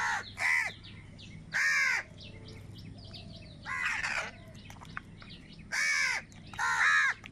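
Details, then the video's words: Six grating caws at uneven gaps, some short and clipped, others drawn out, as crows fight for food; faint small-bird chirps sit in the pauses over a low background hum. "Crow Sound of Kaka | Clear Crystal Crow Bird Crowing Sounds"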